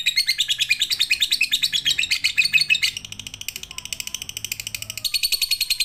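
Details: Lovebird training song for use at night: loud, dense chatter of buzzy, rasping notes, softening midway into a quieter rapid ticking before the bright chattering strengthens again at the end.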